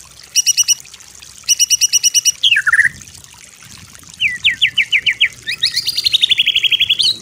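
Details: White-rumped shama song used as a master for training: bursts of very high rapid trills, a descending slur, then a run of rising notes and a buzzy ringing trill.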